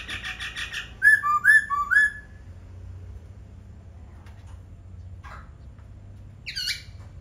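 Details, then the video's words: Laughingthrush singing: a buzzy pulsed phrase, then three clear rising-falling whistles in quick succession, a quiet gap, and a brief harsh downslurred note near the end, over low hum. "Khướu hót cực hay"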